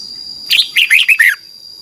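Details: A Thai red-whiskered bulbul delivers a short doubled-style phrase, played daily to teach young birds. Five quick, liquid notes dip and rise together within under a second, with a thin high tone steady in the background.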